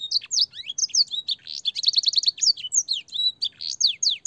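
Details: Canary training song rich in blackthroat and singer phrases, clear-voiced: quick whistled notes in a varied, lively sequence, including a rapid trill of repeated chirps in the middle, sung with no break.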